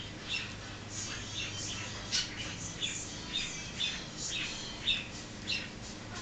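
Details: Pet African grey parrot, indoors, a talker that also barks and mimics noises; a run of short squawks and whistled chirps about every half second, bright and clipped, over a steady low room hum.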